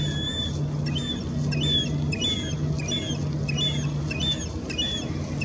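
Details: First-year glaucous-winged gull, about nine months old, begging food from a parent with thin, high, down-slurred whistles about twice a second, over a steady low engine drone; the parent coughs up food.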